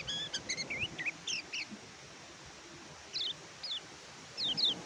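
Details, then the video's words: Oriental white-eye (kecial kuning), a tutor recording for birds that sing poorly after moulting or fresh capture: short bursts of high, sharp chirps and quick downslurred notes, separated by pauses of one to two seconds. "BURUNG KECIAL KUNING MACET BUNYI PAKAI MASTERAN INI"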